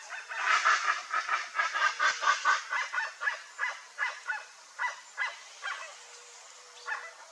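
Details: Chestnut-bellied guan flock, a rare bird, calling in a rapid series of harsh, honking notes, about two per second, loud at first and slowing and fading toward the end.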